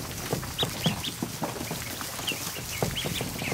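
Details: Newly hatched ducklings, more than a hundred, crowded in a kiddie pool in a barn during an afternoon: scattered thin upward-sweeping peeps every half second or so above a constant background of splashing water.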